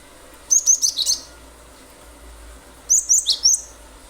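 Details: Cinereous tit singing in full, lively form ('gacor', 'nembak nembak'), used as a lure to get other birds singing; two bursts of four to five sharp, high chirps about two and a half seconds apart over a quiet background.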